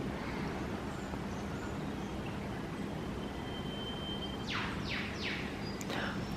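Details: Male Eastern Whipbird on the Python Rock Trail in O'Reilly's mountain rainforest: a long thin whistle, then sharp downward whip-crack sweeps, and a brief two-toned answering note from a nearby female, over steady low rumbling.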